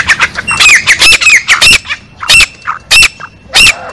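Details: A female black francolin calling: loud, harsh, grating squawks in irregular bursts, roughly one every half second, with sharp upward-kinked notes. Open rural surroundings.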